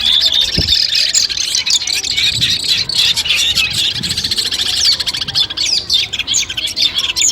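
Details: Collected Long-tailed shrike song used as training before a competition: rapid, buzzy chattering and high chirps with a few upward-sweeping whistles, a short low knock near the start.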